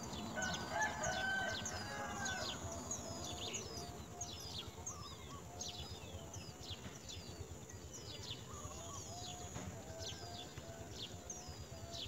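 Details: Myna chicks in a nest, apparently not getting enough food, give short, harsh chirps, about three a second, over a steady rumble of background noise, with a drawn-out rooster-like call early on.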